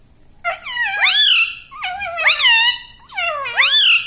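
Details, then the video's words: Pet talking Indian ringneck parakeet repeats the same shrill, harmonic phrase three times about a second apart, each syllable rising and wavering in pitch, loud and close in a quiet room. "Mitthu Mitthu Bolne Wala Batuni Tota - Talking Parrot"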